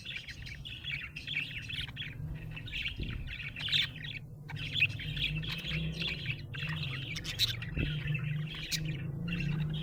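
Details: Happy budgerigar giving steady warbling chatter, a long string of buzzy chirps and soft whistled notes with brief pauses, over a constant low hum.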